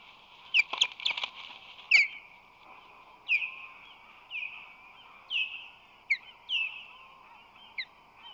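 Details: Ospreys on their San Francisco Bay nest in March 2020, male delivering fish; an irregular string of downslurred whistled chirps, opening with a quick rattly burst, then calls every second or so over faint background noise.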